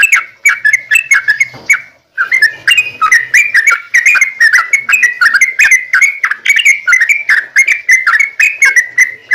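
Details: Long rapid 'ropel' song of a yellow-vented bulbul, used to coax other bulbuls into song: a continuous flowing stream of bubbly whistled notes after a short pause near the start.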